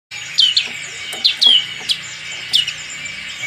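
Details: Black-capped white-eye, a fighting bird singing with its crest raised: short, high, thin chirps that slide downward, given singly and in quick pairs at irregular gaps over a steady high background hiss.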